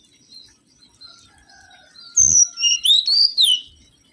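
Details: Lure song of the mangrove whistler: faint thin whistles at first, then a loud thump followed by a string of rich, rising-and-falling whistled notes lasting over a second.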